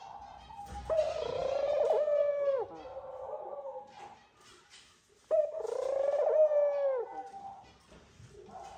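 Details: Courting pair of Eurasian collared doves on the nest; the male calls the female with two long, nasal, gradually falling coos about four seconds apart, each followed by a softer trailing note.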